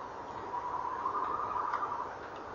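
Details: Male tawny owl calling and trilling at a nest box on a November evening in 2013, 18.17, with a female answering. A wavering, tremulous low tone is held for about one and a half seconds over steady background hiss.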